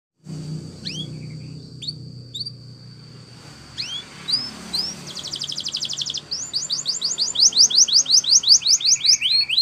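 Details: Belgian canary training song: a few scattered upslurred whistles over a thin steady high tone, then dense rapid trills that build in loudness, ending in fast repeated rising notes; low background hum.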